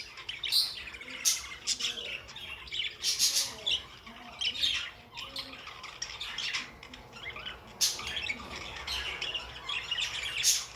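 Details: Pet budgerigars squawking and chirping in overlapping bursts, harsh buzzy calls with crisp peaks every second or two and some soft lower warbles between them.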